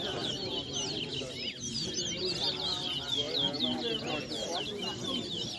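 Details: Caged large-billed seed finch (towa towa) whistling in an inter-zone bird whistling competition in New Amsterdam, Guyana: rapid, dense run of bright whistled and slurred notes, rising and falling, over low murmuring voices and songs counted aloud.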